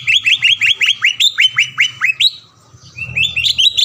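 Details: Green leafbird song used to provoke a rival's singing and agitation: a rapid series of slurred, ringing whistles, about four per second, a brief pause, then rising chattering notes over a soft low hum.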